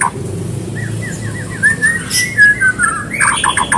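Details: White-rumped shama song as a prompt for other birds: a quick series of four or five short repeated whistled notes, then louder harsh chips and a buzzy fluttering phrase, over a low hum.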